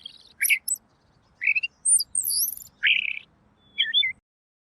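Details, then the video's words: Robin singing clear tutor song: crisp high whistles, quick upward and downward sweeps and a short buzzy burst, delivered as separate phrases with brief silences between, against a near-silent background. "masteran burung Robin!! suaranya jernih"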